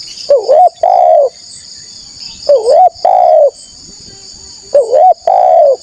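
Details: Spotted dove lure call to draw out wild rivals: three two-part phrases, a rising-falling short coo then a longer mellow falling coo, spaced about two seconds apart, with continuous high insect buzz.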